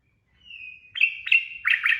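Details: Sooty-headed bulbul singing in the rapid ropel style, used as training audio for captive birds: a long thin whistle, then bright chirped notes in quick clusters, with a faint low rumble beneath.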